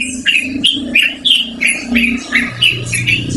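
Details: Yellow-vented bulbul singing loudly and at length, a recording suited to luring or training birds: about ten warbled, bubbling notes over a steady low droning hum.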